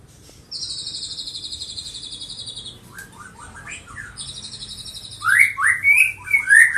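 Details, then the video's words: Young colony-bred white-rumped shama, Medan type, aged six months. Two long, steady, buzzy high trills come first, with brief soft notes between them. Near the end come loud, sweeping, slurred whistles in quick succession. "Kicauan anakan MB umur 6 bulan"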